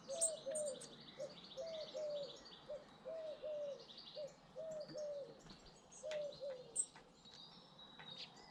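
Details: Garden birds in Britain: a low, soft cooing phrase repeated in pairs of notes, roughly every second, over fainter high chirps and twitters from other small birds in the background.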